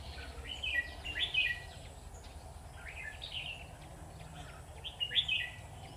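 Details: Caged decoy Red-whiskered bulbul singing at a bird trap: short, lively warbled phrases of slurred whistles, given about every two seconds against a steady low rumble.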